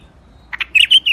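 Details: White-eared bulbul in a rooftop garden, Iraq: a brief burst of short chirps followed by three loud, clear whistled notes around two to three kilohertz-level pitch, ending in a slightly falling note.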